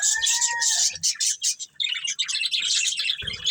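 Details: Breeding pair of budgerigars chirping: dense, rapid scratchy warbling chatter in a continuous stream, opening with a brief clear whistled note lower in pitch, with soft low thumps underneath.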